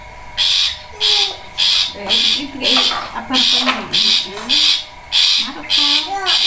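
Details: Rhythmic long-tailed shrike song of loud, rasping high-pitched bursts about twice per second, interspersed with quieter low twittering and chattering notes.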